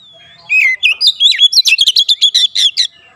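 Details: Home-kept Oriental magpie-robin in full lively song for daily encouragement: a falling whistle opens, then a fast chattering run of sharp, varied notes, about twelve in under three seconds.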